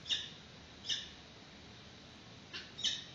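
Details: Peregrine falcon at a nest on a Santa Cruz webcam, March 2019, during the chick's first feeding. Four separate short, harsh screeching notes, two near the start and two near the end, with quiet hiss between.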